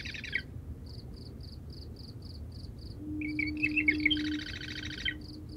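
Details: A Marsh Wren sings at night from cattails at the edge of a salt marsh, giving gurgling, reedy notes that run into a rapid grating chatter, over a steady cricket trill and a low foghorn sounding in the distance.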